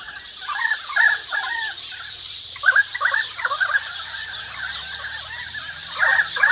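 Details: Currawongs in a forest calling with short looping, ringing notes in uneven groups, some sharper accents standing out, while sparrows and other small birds keep up a constant high twittering behind them.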